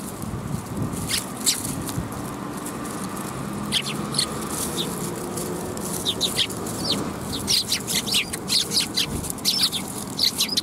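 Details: Several sparrows chirping at a Tenmangu shrine, afternoon of 10 December 2021; brief high tweets come in loose bursts, busier toward the end, with a constant low hum of background noise underneath.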